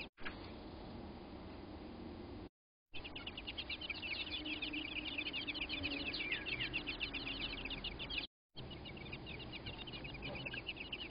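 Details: American robins at their nest as a crow attacks: fast, repeated sharp chips and short notes packed closely together, with a few brief downward-sliding notes, interrupted by abrupt cuts, over a steady low rumble.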